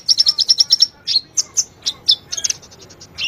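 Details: Sunbird song used as a lure to make a quiet caged sunbird start singing: rapid run of very high, sharp chips about eight per second, then scattered higher twittering notes and short buzzy trills.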